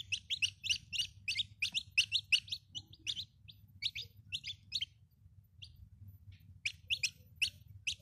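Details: Domestic chicken chicks peeping: a dense run of short, high, downward-sliding cheeps, several each second, overlapping from more than one chick, thinning out midway before resuming, over a low steady hum.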